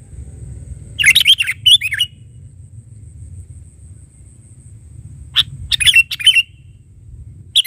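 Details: Sooty-headed bulbul calling in two bouts of bright, slurred chirps, a quick run of three or four notes near the start and another run later, with a low rumbling hum underneath.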